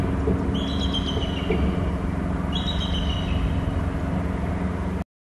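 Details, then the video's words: An eagle flying in from inland at its Hornby Island nest territory gives two thin, high, slightly falling chattering calls about two seconds apart, over a steady low rumble of traffic. "eagle from inland left to ulb and calls"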